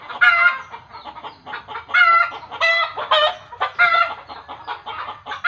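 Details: Fowl alarm calling, said in village belief to happen when a chicken sees a ghost: stuttering clucks building into loud, strained squawking cackles every second or so.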